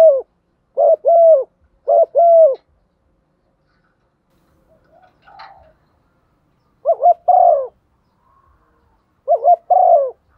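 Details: Spotted dove hen calling in the thúc gù style used as a lure: three sets of two-part hooting coos, each a short wobbly note and a drawn-out falling one, with a faint brief noise in a gap.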